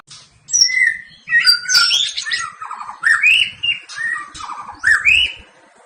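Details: Caged white-rumped shama singing in fighting style while provoked by a rival, rolling and rapid shooting phrases: varied loud slurred whistles rising and falling, harsh chattering notes mixed in, delivered in continuous bursts.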